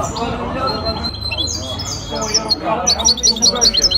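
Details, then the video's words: Hybrid goldfinch in a singing contest held by the Ain Chock bird association, Casablanca, 23 May 2021: high twittering notes and a closing burst of quick repeated chirps, partly masked by people talking nearby. "مباراة تغريد هجين الحسون"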